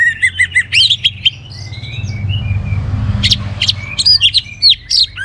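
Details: Singing orange-headed thrush, its song meant to get other birds singing: quick paired chirps and slurred whistles, a soft drawn-out whistle over low background rumble, then a burst of high sharp varied notes.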